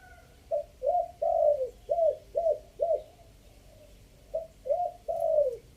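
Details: Three-note decoy cooing of a spotted dove, Chiang Mai: a phrase of six deep, rounded coos with a long third note, a short pause, then three more coos ending on a drawn-out note.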